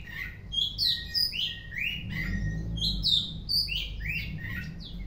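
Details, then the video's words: Oriental magpie-robin in full afternoon song, loud ringing whistles and upward-sweeping notes alternating with lower slurred phrases in lively sequences, with a low humming noise underneath. "Kacer Gacor On Play di sore hari"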